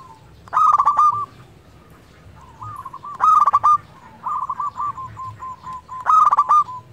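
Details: Local zebra dove in constant song, a lure for doves that sing too little: three loud bursts of rapid stuttering coos about three seconds apart, linked by softer strings of short notes.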